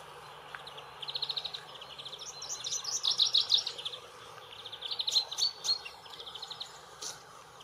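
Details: Common chaffinch on the bank of the Main river near Würzburg, Germany, sings bright, high phrases of quick repeated notes that speed up into a tumbling run, over steady outdoor background noise.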